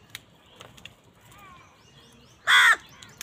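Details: Crows fighting over food: one loud harsh caw near the end, preceded by faint distant calls and clicks against a quiet background.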